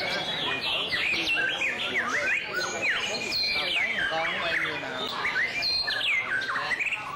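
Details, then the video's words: White-rumped shama in song display: fast, varied whistled phrases with rising and falling slurs and sharp upward sweeps, delivered almost without pause; faint voices underneath. "Shama's Song-Display"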